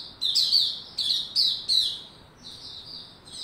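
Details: White-rumped shama, a kept songbird, recorded 27 December 2021 while cranking up, building form and singing; bright high notes come in quick bursts, some sweeping downward, with softer warbled phrases after a short pause.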